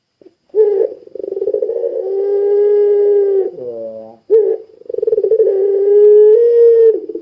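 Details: Long-voiced puter pelung Barbary dove calling hard, played so other doves answer: a long, rolling coo that settles into a steady, sustained tone, a brief lower nasal break, then another drawn-out coo rising at the end.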